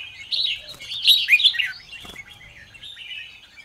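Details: Morning Red-whiskered bulbul song: a rich, rolling warble swells to loud, slurred whistled notes in the middle, with one clicking sound, then tails off into soft chatter.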